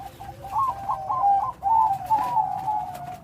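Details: Loud-voiced Bangkok zebra dove with a complete rhythm giving a short phrase: a soft opening coo, then a bright rolling trill and drawn-out coos.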